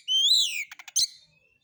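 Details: Lure call of a white-rumped shama in harsh style: one long rising then falling clear whistle followed by three quick clicks and a sharp chip.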